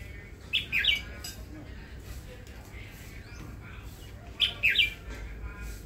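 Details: Caged red-whiskered bulbul, a newly acquired bird kept for listening to its voice, gives two short bright phrases of three or four quick whistled notes, the second about four seconds after the first, over a low background hum.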